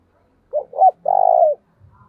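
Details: Decoy spotted dove in thổ voice calling to spur fights: a quick pair of short coos followed by a drawn-out rolling coo that tails off slightly lower, with soft low rustling after it.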